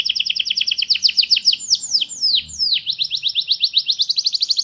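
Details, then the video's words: Singing canary: a quick high trill breaks into a few slower, sweeping downslurred whistles, then returns to a fast rising rattle of bright notes. "تغريد كناري راااقي"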